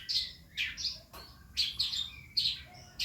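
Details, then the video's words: Calandra lark still learning its sounds, used as a lure: clear, high, sweet chirps and slurred whistles come in small clusters, with brief pauses between phrases. "calandra belajar bunyi"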